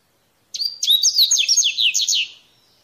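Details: Mateiro-style song of a wild Double-collared Seedeater (coleirinho) in natural surroundings: a quick, bright phrase of thin whistles and rolling downslurred notes lasting nearly two seconds, starting abruptly and fading at the end.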